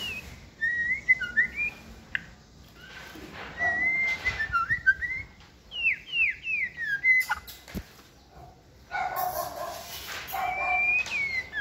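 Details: A caged White-rumped shama on a tabletop stand sings rich, varied, multi-voiced whistled phrases, some sliding and some sharply down-slurred, in quick bursts, with occasional rustling and clattering noises.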